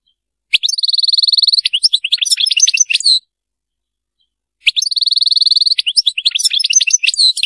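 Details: Serfati-style song of a European goldfinch, two phrases each opening with a sustained ringing trill followed by jumbled tinkling twitters, separated by about a second and a half of silence.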